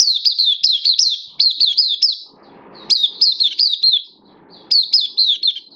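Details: Caged oriental white-eye in the bird hobby, 11 September 2022, its form said to have dipped: three bursts of rapid, high falling chirps, each run of five or six notes separated by short pauses with faint background rustle.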